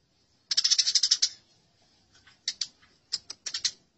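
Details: Eurasian tree sparrows fighting: one quick, harsh chattering run near the start, then scattered single sharp chirps and short clicks.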